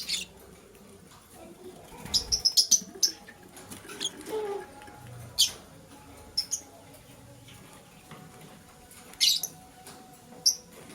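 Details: Lovebirds in the morning, a green one chirping while a blue one scrambles for vegetables; short shrill high chirps come in scattered bursts, clustered early, mid-way and near the end, with soft rustling and quiet gaps between.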